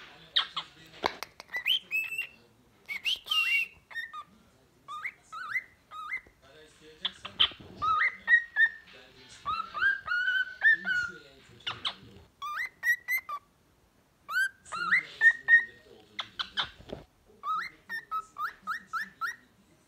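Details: A smoky-coloured cockatiel sings a varied medley of bright whistled phrases, rising and falling, broken by sharp clicks.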